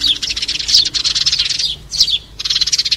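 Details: Sparrows calling to gather the flock, played for trapping: long runs of rapid, rattling chirps broken by a brief pause and one sharp descending note before the chatter resumes.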